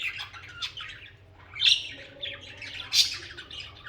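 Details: Pet budgerigars chattering in company, a stream of scratchy warbles broken by two sharp loud squawks about a second and a half apart, with a low steady hum behind them.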